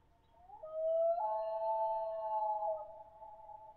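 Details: {'caption': 'A single drawn-out common loon wail rises from a low onset, steps up to a higher sustained note, holds it steadily for over a second, then slides back down, clear against a quiet background.'}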